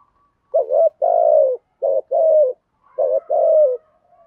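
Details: Spotted dove cooing thúc gù style to lure wild doves: three closely spaced low phrases, each pairing a brief wavering note with a longer, smooth descending coo.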